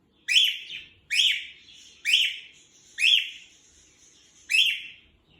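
A male cockatiel gives loud, harsh, rising calls, repeated roughly once a second.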